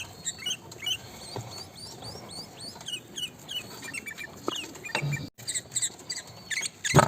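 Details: Sooty-headed bulbul singing: quick runs of short, sweeping whistled notes, mostly high and bright, repeated rapidly in chattering phrases with a few sharp clicks, ending in a louder burst over faint background noise.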